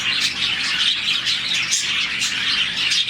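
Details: A colony of around 40 budgies chirping in the morning, a sound made when they are happy. Dense, overlapping high chirps and twitters pour out continuously with no pauses, and no other sounds.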